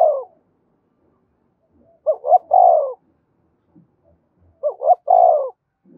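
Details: Spotted dove calling to stimulate fighting in wild doves: two full phrases about two and a half seconds apart, each a pair of short rising notes followed by a long, slightly falling coo, with quiet gaps between.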